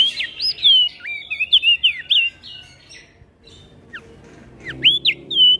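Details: Javan grey-throated white-eye singing the ngeplong style while calling back and forth with other birds. Rapid, bright swooping whistles tumble together at first, then a quiet gap, then a few sharp rising and falling notes.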